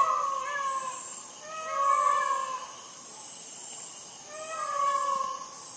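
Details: Peacock screaming at midnight in Sri Lanka, recorded on a Sony ICD-PX470 recorder: three loud, drawn-out, nasal wailing calls about two and a half seconds apart, each with a rich harmonic tone, over steady faint night hiss.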